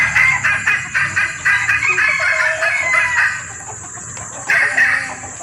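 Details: Hen junglefowl in heat calling males, a lure recording; quick runs of clipped, raspy clucks about four per second, pausing briefly, then a louder squawking burst near the end, with a constant shrill insect drone behind.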